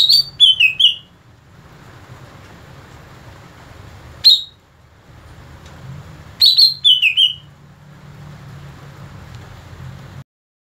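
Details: Cucak ijo, the greater green leafbird, during song mastering: short bursts of high, descending whistled notes, plus one lone sharp note between them and a low background hum.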